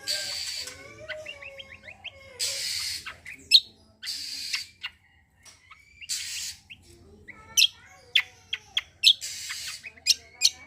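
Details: Cucak kombo delivering tembakan and besetan phrases as a singing lure for untrained birds: slurred whistles and brief trills alternate with loud hissing bursts and sharp high notes.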